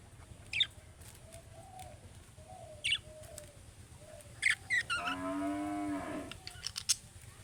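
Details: Budgerigar calls in the style of young birds, meant to make other budgerigars answer: scattered short sharp chirps every couple of seconds, then a harsher drawn-out buzzy call, with a low steady hum underneath.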